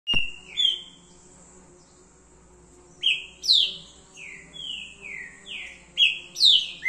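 Green-winged saltator singing a bright phrase of loud, clear whistles, each note slurring sharply downward, in quick runs of four or five after a short pause.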